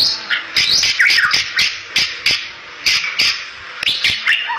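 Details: Bali myna, a protected and rare songbird, singing energetically in a lively song meant to lure other Bali mynas; varied whistled and harsh notes, sweeping up and down, come in rapid bursts with sharp clicking sounds between phrases.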